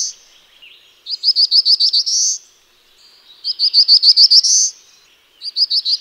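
Black-throated blue warbler singing three short, buzzy phrases about two seconds apart, each a quick run of six or seven high notes ending in a rising drawn-out buzz.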